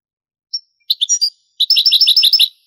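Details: Old Spanish tape recording of a European goldfinch singing in the Granada style: a high note, three rapid chirps, then a run of about ten sparkling trilled notes, with no other sounds.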